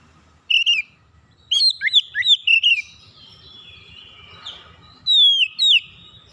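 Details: Oriental magpie-robin calling: a sharp single note, then a quick string of slurred whistles and chirps, a quieter drawn-out buzzy stretch, and two clear down-sweeping whistles closing.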